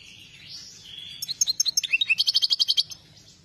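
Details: European goldfinch of the Saira joker type singing: soft warbling slides into a rapid string of sharp, evenly repeated chirps, about a dozen in under two seconds.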